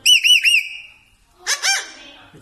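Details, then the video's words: Pet parrot: three clear, wavering whistled notes, then a pause and a short burst of harsh, raspy squawks. "parrot natural voice sound tone"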